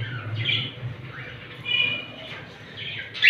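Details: Captive female Indian ringneck parakeet shown by her keeper, giving repeated harsh, high squawks in short bursts spaced about a second apart, ending in a louder screech, with low background hum.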